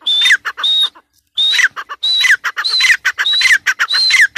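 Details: Loud, repeated calling of a female grey francolin: shrill ringing notes, each with a whistled tone that drops at the end, given in quick rhythmic series after a brief pause.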